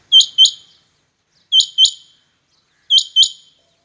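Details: Rain quails competing: clean, loud, high-pitched double notes, each pair a quick whit-whit, repeated three times about every 1.4 seconds, with silence between pairs.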